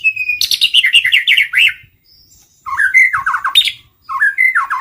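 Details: Luring song of a white-rumped shama: a sustained whistle opening into a fast tumbling series of bright chirps, then a silent gap and two more phrases of rising, descending whistled notes, loud and clear.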